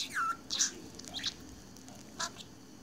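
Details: Pet budgerigar lost in its own world gives a few short chatter notes: a falling whistled chirp, a scratchy squeak, then a lone click-like chirp after a pause, over a low background hum.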